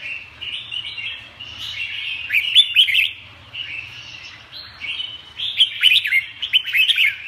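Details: Song of a red-whiskered bulbul: a steady warbled stream that swells into rapid bursts of sharp, jerky whistled notes around two and a half and six seconds, with a soft low hum beneath.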